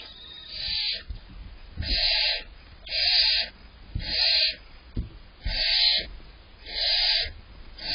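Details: Two young barn owl owlets in a nest box on July 23rd, waiting for their parents to bring prey, give harsh hissing, snoring bursts about once a second, six rasping calls in eight seconds with faint knocks between.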